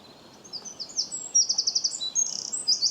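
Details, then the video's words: A bird chirps in high, fast twitters: scattered chips build to a rapid run of repeated notes, then a buzzy trill and further bright chirps. "bird chirping sound"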